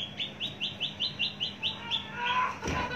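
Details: Mature Javan bush lark, long kept, repeats a crisp chirp about five times a second, the series ending in a blurred rush of notes and a short thump.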